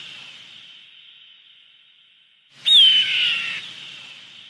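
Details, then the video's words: After a quiet echoing lead-in, one sudden piercing hawk cry sweeps downward and then fades. The call is used to drive birds away. "Tiếng Chim Ưng đuổi chim"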